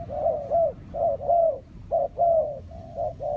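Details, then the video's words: Spotted dove, filmed around decoy trapping, calling loudly with mellow, slightly descending coos grouped in quick doubles and longer drawn notes, about one phrase per second, in a quiet setting. "The Sound Of Spotted Dove"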